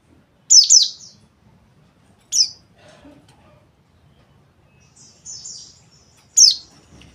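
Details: White-eye delivering sharp high chirps in separate bursts, a double note then single notes, with a brief buzzy twitter between them and short silences.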